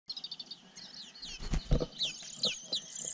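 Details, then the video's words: Sparrow chicks in a nest atop a pine tree, tended by a parent, give rapid, high, thin chirps, some sliding downward, over bursts of rustling and low thumping. "Tổ Chim Sẻ Chăm Đàn Con"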